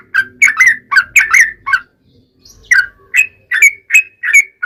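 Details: Sooty-headed bulbul singing energetically, recorded as a lure to make other bulbuls reply. A tumbling cluster of slurred whistles, a pause of nearly a second, then a second run of rising, bright whistled notes.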